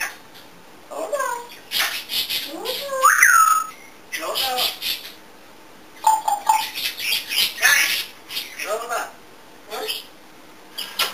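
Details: Pet African grey parrot indoors, a chatty bird known for making many sounds, babbles speech-like syllables mixed with short rising and falling whistles, in bursts separated by brief pauses.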